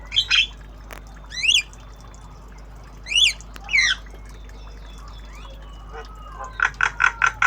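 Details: Javan myna, a tame bird learning sounds in obyogan style: rasping notes, repeated zigzag whistled phrases about every two seconds, ending in a rapid series of five or six even chattering pulses.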